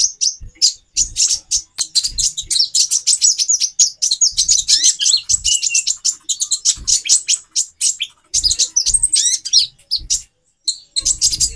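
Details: A female konin, or sunbird, calls to boost the male's mating drive; long stretch of fast, very high ticking chirps and twitters, nearly unbroken, with scattered low knocks.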